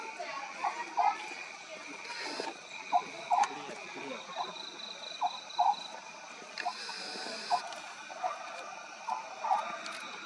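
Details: Oriental scops owl at night at Maguri Beel, Assam, India, in March 2021 gives short, low, croaking notes every two to three seconds over a steady, high-pitched drone of night insects.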